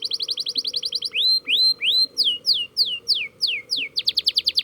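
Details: Canary learning to roll. A rapid high trill gives way to slow rising slurred whistles, then falling swept notes about three per second, returning to a fast pulsing trill.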